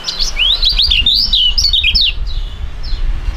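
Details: Young competition songbirds singing a duet: a fast, continuous run of sharp, high, looping whistles and chirps, with low rumbling background noise throughout.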